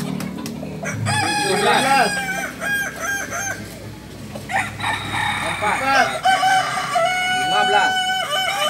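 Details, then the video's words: Crowing contest of Balenggek chickens, landiak class, on a Sunday in Ampang Kualo, Solok city; several cocks give stepped, repeating crow syllables that overlap almost without pause, with faint talk behind. "Kontes Ayam kukuak balenggek"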